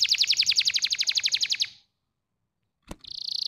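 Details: Canary training song to stimulate lazy canaries. A fast, even roll of about twenty repeated notes lasts under two seconds, followed by a silence, a click, and the start of another buzzy trill.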